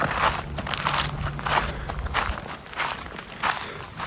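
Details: Crunching footsteps outdoors at a cold riverside campground, roughly one or two steps per second; no animal calls.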